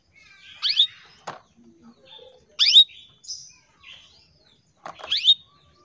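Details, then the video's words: Female canary calling to males: bright, sweeping chirps with a rising then falling shape, given about every two seconds, with soft faint twitters between them and a single click. "KENARI BETINA MEMANGGIL JANTAN"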